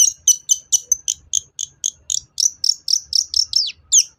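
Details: Long-tailed shrike song used to coax other shrikes into singing. A rapid series of high, sharp chip notes runs about four per second, later becoming slurred upward and downward squeaks.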